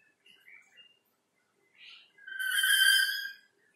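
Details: Black-capped lory behind a window: a few quiet short chirps, a brief buzzy note, then a loud, sustained harmonic whistle of roughly a second.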